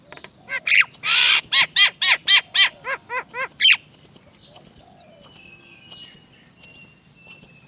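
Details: Baby Great myna at the nest crying for its mother to feed it: a rapid run of harsh, raspy calls, roughly two per second, giving way to a steady series of thin, high squeaks with short gaps between.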